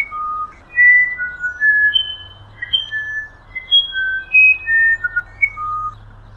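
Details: Musician wren, also called violinero or wirapuru, a bird of humid Amazon forest in South America known for its elaborate song: a series of pure whistled notes at varied pitches, some sliding, spaced irregularly over several seconds with a low background hum.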